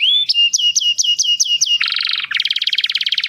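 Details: Canary song used for training and mating stimulation: repeated high whistled notes with sharp upward flicks, giving way to a dense buzzy rattle, then a fast, even, pulsing trill.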